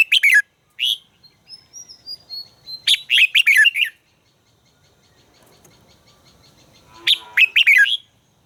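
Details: Red-whiskered bulbul in voice training: bright, quick warbled phrases with a thin high whistle between them, a quiet gap, then another burst of sharp, falling chirps.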